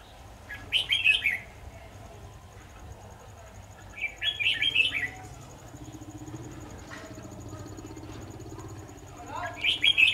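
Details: Decoy red-whiskered bulbul singing during a bird-trapping session on 23 October 2019: three short bright warbled phrases spaced several seconds apart, separated by stretches of low rural background hum.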